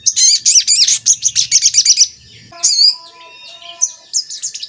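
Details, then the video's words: Javan kingfisher lure recording, meant to provoke other kingfishers into calling and agitation: a fast, shrill rattle of high notes for two seconds, then scattered sharp whistled chirps and fainter calls. "Pancingan Sogon Agar Bunyi dan Emosi"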